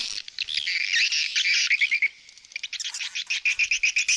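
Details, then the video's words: Swallow calls: a warbled, buzzy twitter, then a brief pause, then a fast series of clipped chirps repeated several times a second. "เสียงนกนางแอ่น Swallow Sound"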